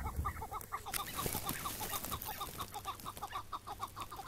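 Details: A chukar partridge calls during a morning capture in May 2017. Rhythmic, clipped chuck notes repeat about twice a second against rustling and handling noise; the bird was later set free.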